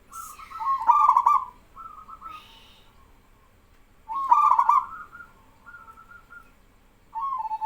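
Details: Zebra doves calling back and forth, a local male leading and trainee doves joining; loud stuttering openings flow into rolling trills, with quieter answering coos between phrases and a brief high chirp.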